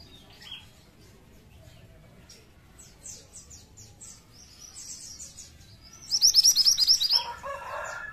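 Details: Pied triller song used as a lure: faint scattered chirps, then a loud one-second trill of rapid, high, sharp notes near the end, followed by a lower, harsh, buzzing sound.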